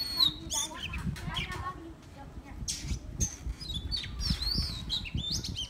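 An Oriental magpie-robin sings a varied run of clear, high whistles and chirps, some rising or slurred, over a steady low rumble and faint voices.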